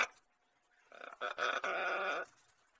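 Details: Pet male lorikeet indoors in a house kitchen, giving a harsh, grating, noisy screech that lasts about a second and a half after a quiet start, with a short break partway through.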